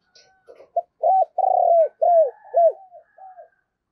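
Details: Decoy spotted dove giving its urging 'thúc gù' coo during Tết season, used to excite and lure wild doves; a run of short, low, hollow hooting notes in quick succession, with a faint thin whistle above.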